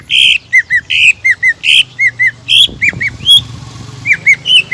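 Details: Lure song of a greater green leafbird in full voice, meant to provoke rival birds into singing. Loud buzzy bursts alternate with short, curved whistled notes in an uneven, lively rhythm, with a brief harsh sound in the middle.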